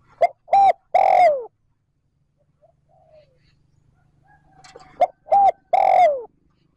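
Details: Spotted dove kept as a decoy, calling in trơn ròng style to stimulate wild doves. Two loud phrases of two short hoots plus a long sliding coo, with soft faint notes and a low hum between them.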